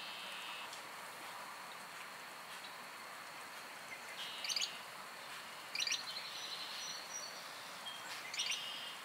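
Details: Marsh wren from North American wetlands: three short, dry rattling bursts of rapid clicks, each under half a second, spaced a few seconds apart over a steady background hiss.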